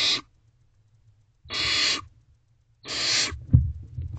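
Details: Owlets of barn owls in a nest box, night of 21 May 2023, with a sibling eating a rodent; three rasping hisses separated by silence, the last followed by scraping and a knock from movement in the box.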